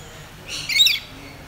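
A rainbow lorikeet gives one harsh, screechy squawk of about half a second, high and grating, against a quiet background.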